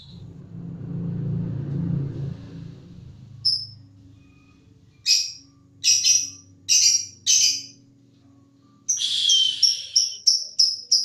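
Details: {'text': 'Lovebird singing, described as in long-pulling form and ready for contest. Low rumbling background fades to near silence, then come sharp, shrill high chirps, some spaced about a second apart. A final burst of rapid piercing notes closes the clip.'}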